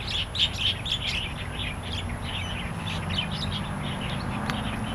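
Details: Starlings calling in the wild in Taiwan: a dense, fast run of bright, squeaky chirps, loudest in the first second. Scattered whistles follow, over a constant low-pitched background hum.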